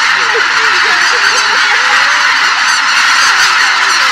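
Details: A large flock of greater white-fronted geese taking off together from a marsh at sunrise calls in a dense, continuous roar, with individual yelping, laughing honks rising and falling over the din.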